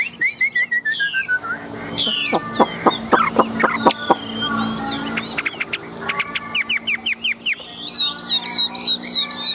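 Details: Tame caged Chinese hwamei of large build singing a varied medley: descending whistled notes, a stretch of harsh clicking pulses, then rising and falling whistles and a wavering high phrase.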